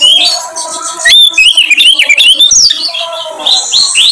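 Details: Oriental magpie-robin (kacer) singing as a lure to get birds to show their repertoire: a rapid series of rising and falling whistled slurs, ending in higher sweeping notes.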